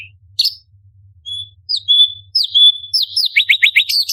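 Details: Orange-bellied leafbird (cucak cungkok) in a tutor recording for competition birds, delivering sharp 'tembakan' phrases. Thin high whistles and short slurred notes lead into a quick run of descending chirps near the end. No other sounds.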